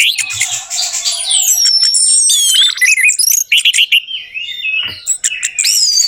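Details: Lure recording of orange-headed thrush song for a bird that has gone quiet: crowded, overlapping whistles, buzzy trills and rapid looping notes, with stuttering bursts and thin high sweeps throughout.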